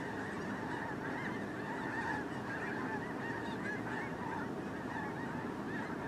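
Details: Snow geese in a large migrating flock keep up an unceasing babble of overlapping high honks and yelps, dense and evenly loud from start to finish.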